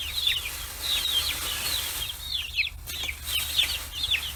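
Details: Forty-day-old chicks on a free-range farm in Hiroshima Prefecture, Japan, crowding round fish heads; repeated shrill downward-slurred peeps from several birds, coming in quick clusters over a faint hum.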